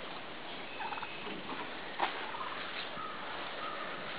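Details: Midget White turkeys mating, a dancing tom with a receptive hen; a few faint, short harmonic calls near the first second, then a sharp click about two seconds in, over a steady background hiss.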